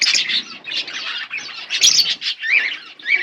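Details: Chirping from a pair of budgerigars: bursts of harsh, twittering chatter rising and falling in loudness, with short pauses between phrases.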